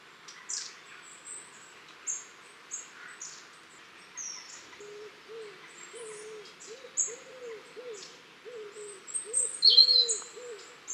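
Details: Garden flock of long-tailed tits, 23 October 2015: loud, very high thin calls and short sharp notes tumbling over each other. A lower, soft, arched note repeats steadily beneath them during the second half.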